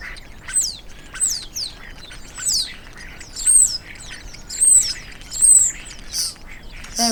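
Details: Common starling (Sturnus vulgaris) song: a busy jumble of high slurred whistles, clicks and scratchy rattles, with bright descending whistles about once a second.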